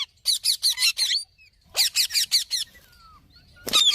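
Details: Green parrot's rasping calls delivered in two bursts of about five evenly spaced squawks, separated by a pause with a thin whistle, then a loud harsh note at the end.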